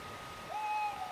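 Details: A tawny owl, heard through an open window after dark, gives a single smooth, level hoot of about half a second, mid-pitched and hollow, over a faint steady background hum.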